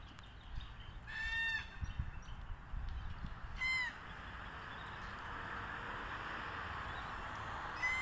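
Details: Red-tailed black cockatoos feeding on casuarina nuts: harsh, grating calls with rich harmonics at intervals of roughly two seconds, the last one cut short, over constant low rumbling background noise.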